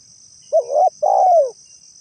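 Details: Spotted dove, a call used to lure birds, giving two soft low hooting coos, a short note then a longer drawn-out one falling at the end, with a steady high insect whine behind.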